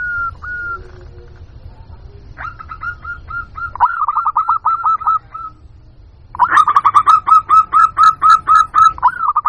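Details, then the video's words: Local zebra dove lure call meant to attract wild doves: two opening coos, then a run of fast hooked whistled notes, a pause, and a louder, faster burst of repeated coos over low background hum. "Suara Pikat Burung Jitu Perkutut Jamin Nyaut Kutut Lokal"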